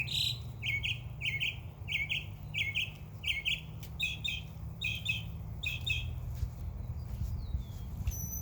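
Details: Backyard birds in summer chirp in a steady string of paired, buzzy notes about every half second, ending with a few thin descending whistles and a high whistle, over a low hum.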